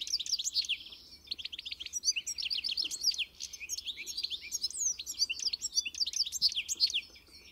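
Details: European goldfinch singing a steady, lively run of high twittering chirps, liquid trills and buzzy notes, continuing with little pause for over seven seconds.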